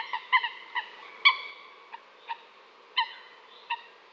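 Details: Sparse nasal honking notes from a coot, spaced unevenly, with one slightly longer, drawn-out note early on and then isolated short calls, against near silence.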